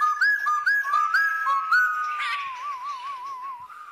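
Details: White-cheeked laughingthrush female used to prompt pet birds: a quick series of upslurred whistles, then a long wavering, trilled whistle slowly falling in pitch.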